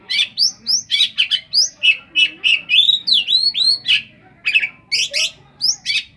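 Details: Oriental magpie-robin song crammed with mimicry said to resemble the cetdet bird: dense, rapid, scratchy chips mixed with rising whistles and high curving slurs, roughly three to four notes per second.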